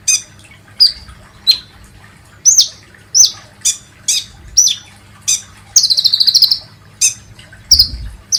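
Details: Lure call of a kolibri ninja, meant to prompt other birds to sing: sharp high chirps spaced about a second apart, a rapid stuttering trill in the middle, then more single notes.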